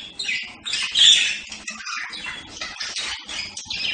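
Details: Budgerigar call: a mix of scratchy chirps and a shrill squeak near the start, followed by softer, irregular twittering.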